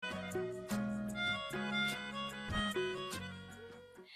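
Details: Only instrumental folk music is heard, a steady accordion-like melody with sustained chords and no animal calls.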